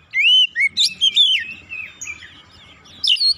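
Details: Agitated oriental magpie-robin (kacer) singing insistently and unloading its repertoire of learned phrases, used as a lure to provoke other birds into singing; loud rising whistles and slurred notes, then quieter rambling warbles before a final bright burst.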